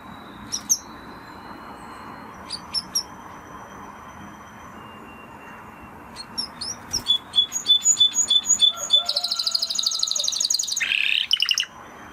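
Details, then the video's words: Spanish Timbrado canary starting with a few isolated high notes, then building into fast repeated ticking notes and a dense, buzzy rolling trill that ends in a lower warbled phrase. "Canary Sound Effect - Canary Singing Video"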